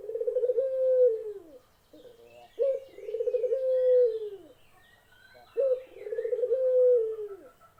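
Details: Barbary dove giving three low cooing phrases about every three seconds, each a short sharp note, then a throbbing, pulsed coo drawn out into a long, sliding, falling tail; soft chirps of other birds overhead.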